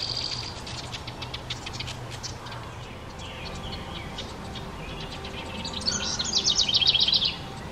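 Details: House wren at a nest box, where parents watch the last two of five nestlings make their first flight into a nearby dense hemlock. Faint high chirps early, then a loud, rapid, bubbly burst of high notes near the end.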